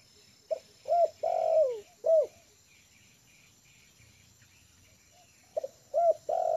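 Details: Lure-trained spotted dove resting comfortably on the ground repeats its cooing phrase twice, several seconds apart. Each phrase has short soft notes, arched coos and one long descending drawn note.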